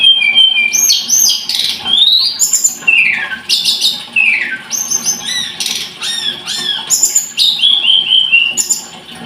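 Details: Scarlet-headed flowerpecker pouring out a dense, high, twittering song of shrill upslurs, descending whistles and harsh buzzy bursts, ending in a short series of repeated notes.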